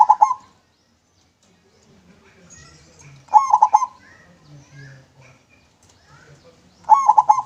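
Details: Local zebra dove singing in a clear voice, used as a lure for other doves; short bursts of quick, rolling mid-pitched coos, each lasting about half a second and repeated roughly every three and a half seconds, with faint low murmuring between phrases.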